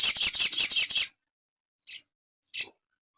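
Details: Crimson sunbird master recording for cage birds: a second-long burst of rapid high ticking notes, then two isolated sharp chirps after a pause.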